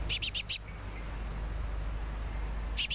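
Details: Sunbird in a bird-singing therapy recording: four rapid, shrill chips, a pause of over two seconds, then two more, with a faint low hum in the background.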